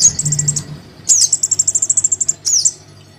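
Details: Crimson sunbird chick calling to its parent, played as a lure: a sharp slurred squeak opening an even, fast train of about fifteen tiny high ticks, then another falling squeak, with a soft low hum.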